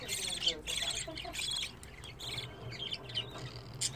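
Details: Budgerigar chicks 25 days old, the brood of a pet pair, calling in a nest: dense high raspy chattering and squeaky calls in overlapping bursts, with a low steady hum underneath.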